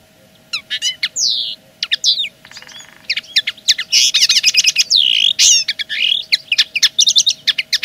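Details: Common linnet in full territorial song: sweeping downslurred whistles, a dry buzzy rattle, then dense rapid twittering and trills in quick succession, over a faint constant hum.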